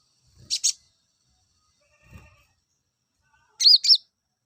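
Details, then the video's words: Two bursts of thin, high double chirps from an olive-backed sunbird, used to bring males into breeding condition, separated by a soft low thud in near silence. "PENAIK BIRAHI KONIN JANTANMU...!!!"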